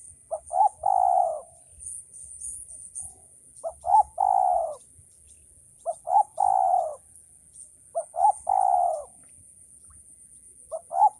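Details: Male spotted dove cooing steadily in five phrases, each made of two or three short notes and a long descending coo, repeated about every two seconds. The background is quiet.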